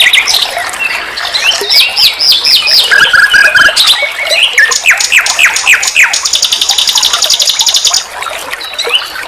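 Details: Nightingale song used to train cage songbirds. Jumbled whistles give way to a low trill, then a steady series of sharp, downswept chirps, and finally a bright, rapid, metallic rattle.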